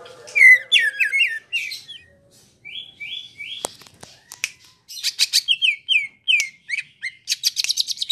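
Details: Greater green leafbird, known locally as cucak ijo, in long continuous rolling song: varied whistled phrases, short slurred notes and rapid trills, with repeated downslurred whistles and bursts of chattering notes, no other sounds.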